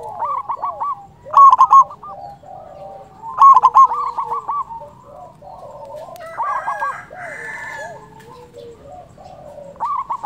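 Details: Local zebra dove, a loud, strong-voiced singer used as a trapping lure, gives stuttering rolling coos of quick notes at mid pitch. Bursts come about every two seconds, with fainter doves cooing softly in the background.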